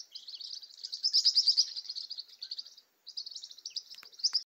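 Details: A flock of green-rumped parrotlets in a tall tree in the caatinga chatters in high, buzzy chirps that overlap almost without pause, with one brief lull before the chatter resumes.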